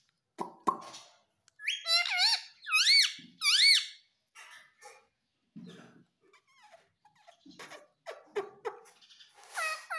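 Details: Young pet ringneck parrot calling in a small room: three loud, buzzy, rising-and-falling squawks in quick succession. Scattered softer squeaks, clicks and thumps follow, then a few short high chirps near the end.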